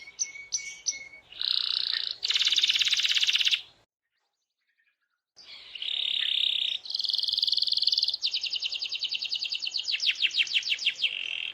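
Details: Chatty canary song used to trigger other canaries to sing: a few high whistled notes lead into dense buzzy rolls, a short silence, then more rolls and a rapid, accelerating sequence of sweeping notes.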